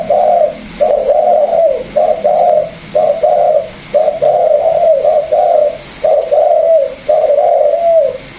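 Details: Caged Vietnamese spotted dove pair for sale, one an experienced decoy and one newly wild-caught; a long, steady series of low cooing phrases repeated roughly every second, clear and strong over faint hum.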